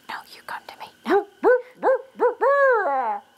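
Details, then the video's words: Close barred owl called in by a person: soft whispering and low notes at first, then four clear, rising-falling hoots and a long, wavering, drawn-out closing hoot. "Our Barred Owl Friend"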